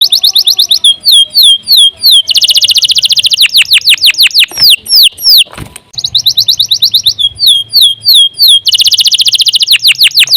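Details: Canary in long continuous song, used as a tutor recording: fast buzzy trills alternate with runs of descending whistled sweeps, rolling phrases repeated almost without pause.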